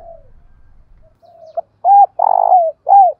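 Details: Decoy spotted dove of the 'thổ bầu' voice style, calling to incite fighting: quiet low murmuring coos build into a sharp click and three loud coos, the middle one long and buzzy.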